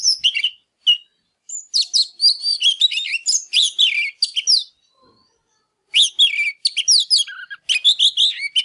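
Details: Oriental magpie-robin singing and displaying in a fired-up state, meant to stir other birds to sing: rapid bursts of high warbled whistles and chips, a pause of about a second, then another fast varied phrase.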